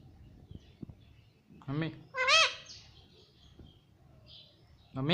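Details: Pet talking parrot repeating mummy: a low voice-like syllable, then a higher nasal one straight after, and another word a few seconds later, over faint background clicks.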